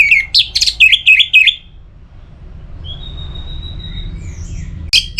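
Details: Orange-headed thrush from North Bali, in a recording to prompt birds to sing: a burst of rapid zigzag whistled notes, then a pause with one thin drawn whistle, and another phrase starting at the end.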